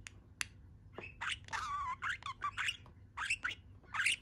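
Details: A contented pet budgerigar perched on one leg, talking away in short bursts of scratchy, warbling syllables, some with wavering tonal harmonics, separated by brief pauses.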